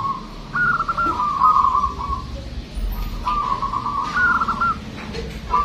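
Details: Local zebra dove singing loudly, with a big, long voice used to lure other birds: two long phrases of rapid, staccato cooing notes that fall in pitch, about two seconds apart, with faint low rumble behind.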